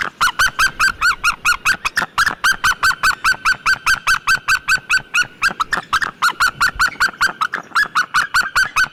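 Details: Long unbroken run of loud, clipped yelps from a white-tailed eagle, repeated at a steady quick pace of roughly two to three per second.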